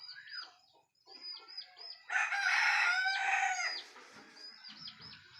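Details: Domestic cock crowing in the early morning, announcing daybreak: a loud, rich crow of about one and a half seconds that rises sharply and then falls, set among repeated high chirps from smaller birds.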